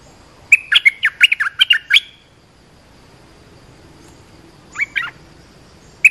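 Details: Lure and training call of the olive-winged bulbul: a quick, bubbling burst of about nine notes lasting a second and a half, a long quiet gap, then a brief two-note reply.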